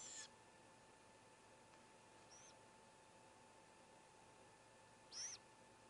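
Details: Great gray owl owlet at a nest with four young while the youngest swallows a whole vole; two short, high, hissing screeches about five seconds apart over a faint steady hum.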